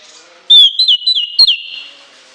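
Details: Piercing whistled burst from an orange-headed thrush in shrill shooting style: one long thin tone broken by four quick downward flicks, each kept on nearly the same pitch.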